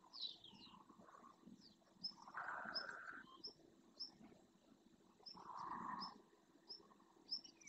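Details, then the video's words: Wintering greylag geese, a large flock flying back to a lagoon in the Doñana National Park marshes, Spain, in early morning light. Two long, nasal, drawn-out honks stand out, while high thin chirps from small birds run throughout. "Bando de ánsares comunes en vuelo"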